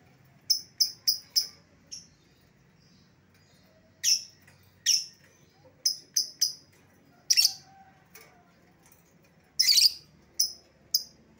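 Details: Escaped-lovebird lure call: bursts of shrill piercing chirps in small clusters, broken by pauses, with harsh rasping screeches mixed in.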